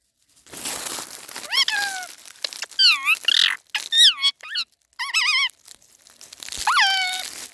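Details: Laughing parrot, "haa haa ha": a rapid run of varied squawks, some swooping down, some rising, some quavering, packed closely together, followed by one longer downslurred call; faint background rustle.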